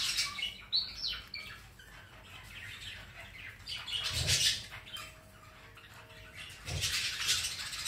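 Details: Pet rainbow lorikeet on a Sunday afternoon, giving quick high chirps and squeaky chatter in scattered bursts, with louder harsh broadband bursts near four and seven seconds and soft rustling in between.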